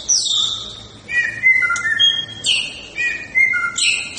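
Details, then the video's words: Fighting-style song from a white-rumped shama: clean whistled notes held at several steady pitches, each phrase stepping between low and high tones, punctuated by sharp high bursts. "Gaya tarung MURAI BATU SUPER"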